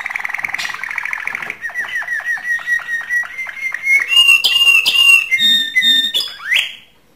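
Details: Canary mating song to excite females: a fast buzzy trill gives way to evenly spaced downslurred notes, then varied whistles and rising slurs before fading out.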